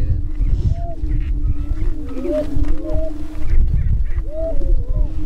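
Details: Greater prairie-chickens on a spring lek near Crookston, northwest Minnesota, April 27, 2013, during their mating dance: a steady low moaning drone with short rising whoops and cackles laid over it, plus heavy low wind rumble.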